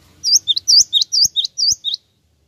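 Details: Java sparrow lure call that gets other birds to answer right away: a quick run of high, slurred chirps, paired notes about four per second for two seconds, with a few soft knocks underneath.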